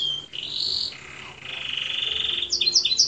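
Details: Canary singing a full-fill tutor song: a whistled note, then long, lower buzzy rolling trills held for over a second, ending in quick, high, swept chirping notes.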